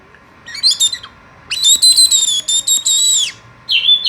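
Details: Oriental magpie-robin (kacer) call played to make birds sing more: clusters of loud, buzzy, high notes in quick bursts, ending with a short whistled downslur.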